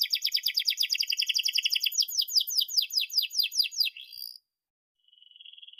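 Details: Canary singing, used to teach young canaries to sing: a fast, rhythmic rattling trill of sharp descending notes, slowing into separate downslurred chips, a brief silence, then a soft steady high trill.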